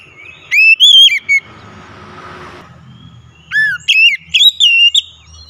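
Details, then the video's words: Oriental magpie-robin singing loudly, used as a lure to make a quiet bird sing: clear whistled phrases with rising and falling notes and sharp upsweeps, two bursts separated by a hissing pause. "kicauan nyaring pancingan ampuh Kacer malas bunyi langsung gacor"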